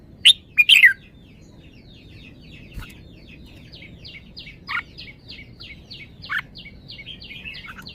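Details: Caged red-whiskered bulbul: a few loud clear whistled notes open, then a long series of quieter rapid descending chirps, with occasional louder notes breaking through.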